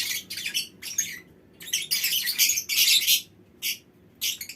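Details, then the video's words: Colony of lovebirds kept in a mini aviary, giving shrill, scratchy chatter in bursts of about half a second to a second, broken by brief gaps, with a few isolated sharp shrieks toward the end. "Suara Lovebird Koloni Bikin Burung Lain Ikut Ngekek Panjang"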